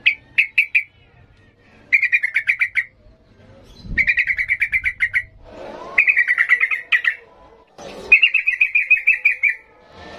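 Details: Repeated trilled chatter bursts from a yellow-vented bulbul in ngalas style, five runs of rapid pulsed notes each about a second long, separated by short silences.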